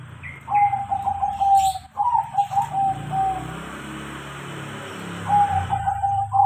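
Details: Crossing zebra dove singing after training: several rolling pulsed coo phrases on a steady low pitch, set against a constant background hum and noise.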